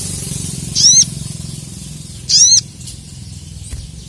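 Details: Captive crested jay (sogon) in heated competition-style form, calling out rivals: two harsh, ringing calls with stacked rising tones, about a quarter second each and roughly 1.5 seconds apart, over a low background hum.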